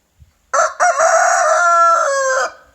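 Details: Loud single crow from a rooster at morning, a short choppy start then a prolonged rough, buzzy cock-a-doodle-doo note sustained almost two seconds and ending abruptly, with a faint tap just before.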